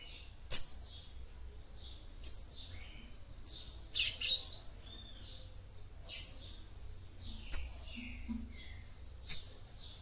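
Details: Female capped seedeater (papa-capim) song used to stimulate a male: sharp high chip notes spaced a second or two apart, with a short cluster of buzzy notes in the middle.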